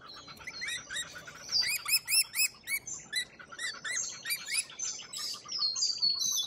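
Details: Lorikeets in Australia giving rapid, shrill chattering calls, overlapping high screeches and twittering notes about four per second, louder bursts in the middle and steady chatter throughout, no other clear sounds.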